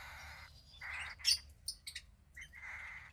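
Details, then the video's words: A cockatiel chick about 15 days old, a female hatched to pied cockatiel parents, gives three short hoarse rasping calls. Bright squeaky chirps and tweets fall between them. "Cockatiel Chick 2 (15 Days Old)"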